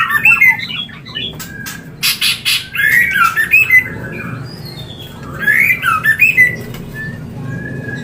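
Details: White-rumped shama mating call for stimulating breeding: two bursts of harsh squawks and tangled whistled notes, separated by a quieter gap with sharp clicks.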